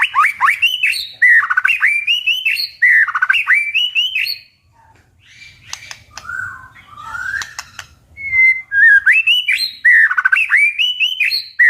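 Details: White-rumped shama in competitive singing: rapid, loud phrases of rich, sweeping whistles and chattering notes, pausing midway with softer notes and clicks, then another fast burst of varied whistles.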